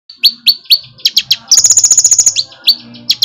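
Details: Olive-backed sunbird, locally called konin or kolibri ninja, in full active song with strong bursts: loud, sharp high chirps, a fast metallic trill of about a dozen pulses in the middle, then more single chirps and quick double notes.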